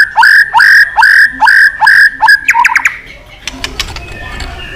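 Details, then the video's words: White-rumped shama with a long fighting-provoking song and tail snaps: six strong, even whistled notes repeated every half second, then a burst of sharp clicks and soft fading sounds. "chòe lửa kéo dây dài cực phê. đập tạch đuôi kích đấu. chòe lửa hót giọng dài kích lửa"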